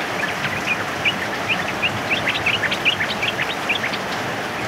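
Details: Sooty-headed bulbul, a male, sings in heavy rain with a lively run of short whistled notes and chirps, fairly evenly spaced, partly masked by the constant wash of rainfall.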